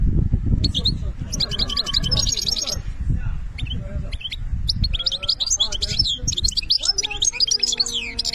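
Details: European goldfinch singing a fast, tinkling run of high twittered notes and short trills, with bursts and pauses, over a constant low rumble of background noise.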